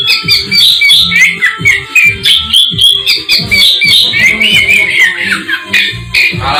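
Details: Black-breasted Oriental magpie-robin from East Java delivering a fast, continuous run of bright whistled and chattered notes, rising and falling, over a pulsing rhythmic music beat throughout.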